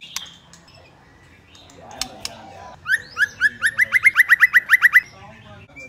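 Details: White-rumped shama hen calling to rouse males: after near silence, a fast run of about thirteen clear upslurred whistled notes over two seconds.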